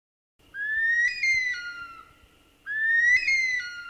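Bush Stone-curlew giving two long, eerie wailing whistles about two seconds apart, each rising then sagging slightly, over a faint steady hum.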